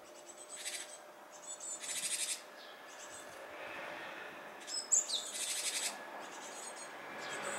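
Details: Japanese tit near fledging, seemingly hesitating; several short, harsh, high buzzy bursts alternate with quieter gaps, and one brief sharp chirp sits among them.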